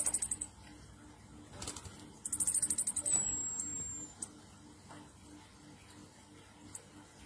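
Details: Orange-headed thrush, ngecir nratak style lure song for stimulating other birds: brief high rattling trills, then a fast run of sharp notes sliding into a thin drawn-out whistle, followed by near-quiet with a few faint ticks and a steady low hum.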